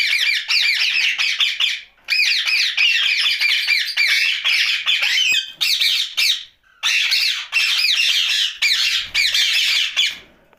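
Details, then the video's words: Rose-ringed parakeet, a green ringneck parrot kept as a pet and described as talking at night, giving a dense run of harsh, raspy squawking phrases in long bursts with brief pauses near two, six and seven seconds. "Night Talking parrot Mitthu Ringneck"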